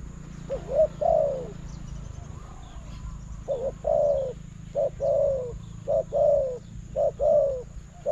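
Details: Spotted dove calling to a decoy in a trapping contest: rapid sets of low coos, short note then longer falling note, repeated about once a second over a steady low hum.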